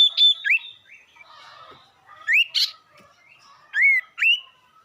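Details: Sirtu bird heard as a lure to make rival birds angry: short rising whistled notes in pairs separated by pauses, with a faint background twitter between the phrases.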